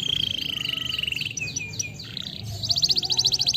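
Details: Canary singing a steady high rolling trill, then a few swooping whistled notes, ending in a rapid bright rattling trill, over low background hum.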